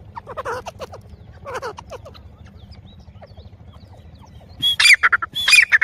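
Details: Female grey francolin calling: a few soft, harmonic notes early on, then loud, sharp, rising and falling notes in a quick burst near the end, over a low background rumble.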